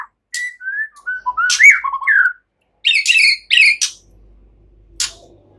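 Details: White-rumped shama in easy chattering song that imitates cililin and ciblek, meant to prompt songbirds; descending whistled notes lead into a rich warbled phrase, then two bursts of harsh chattering and a faint low hum near the end.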